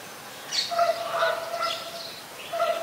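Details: White-vented myna at Ubon Ratchathani, Thailand, recorded 26 December 2020. Harsh nasal squawks come in three or four rough bursts, with brief higher grating notes on top.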